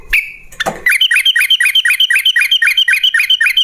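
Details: Yellow-vented bulbul song played as a lure so other bulbuls answer: after a short whistled note and a knock, a fast, even run of liquid, rolling phrases repeats roughly four times a second to the end.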